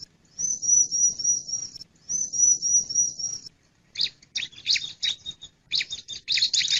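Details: Male bar-winged prinia calling: two long, thin, very high trilled notes lasting over a second each, followed by a rapid series of buzzy, scratchy chirps in quick bursts.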